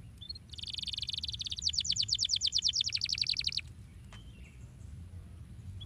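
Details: Canary song meant to get canaries singing: a rolling high trill lasting about three seconds, speeding into evenly spaced pulses, then breaking off into near silence with a brief thin note.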